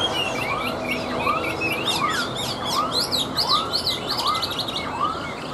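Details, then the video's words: Tame caged Chinese hwamei, hand-carried and singing when set on a table: varied loud whistled notes and rapid high trills, over a steady series of short rising whistles repeated about every 0.7 seconds. "Họa Mi Hót"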